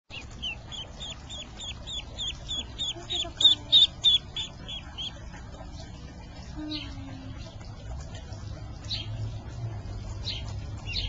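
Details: Duckling in distress, uttering a rapid, regular run of high, piercing peeps for about four seconds, then fainter scattered peeps over a low background rumble.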